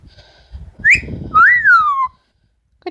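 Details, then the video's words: Pet female Amazon parrot whistling a short rising note then a longer whistle that rises and falls away smoothly, with faint background noise and the owner nearby. "The many sounds of Lily, an amazon parrot"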